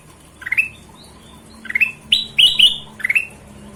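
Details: Chatty golden-vented bulbul giving clear upward-sweeping whistled notes, a single note then a rapid run of three or four bright slurred phrases, over quiet low hum.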